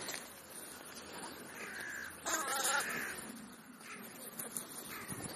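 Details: Crow calling while feeding on a snack between breakfast and lunch. One rasping, drawn-out caw stands out against constant noisy rustling and hiss.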